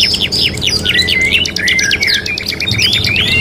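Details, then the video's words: Canary song from a three-in-one training track for 'kenari gacor': short sliding whistles and quick chips alternate with flat drawn-out whistled notes, ending in a rising slur. Soft hum beneath. "KENARI GACOR | CANARY SINGING"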